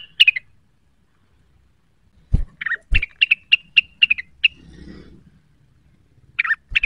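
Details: Cucak wilis roused to sing against a rival: scattered chirps, then two knocks and a steady series of crisp, evenly paced high chirps, a soft murmur, and a final pair of slurred notes.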